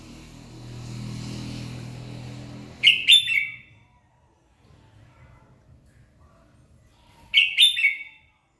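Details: Red-whiskered bulbul singing in the morning to spur other birds: a low rumbling hum fades, then two crisp, rapid warbled phrases ring out about four seconds apart.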